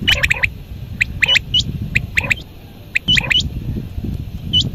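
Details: Quail calling at dawn: sharp, clipped notes bunched in quick clusters of three to five, the phrases repeating roughly once a second, over a steady low rumbling background noise.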